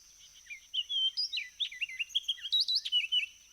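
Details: Orchard Orioles sing fast, jumbled runs of sweet whistles and slurred chattering notes on a humid June morning at Flat River Waterfowl Impoundment, North Carolina, where deciduous forest meets fields and wetlands, over a steady high insect hum.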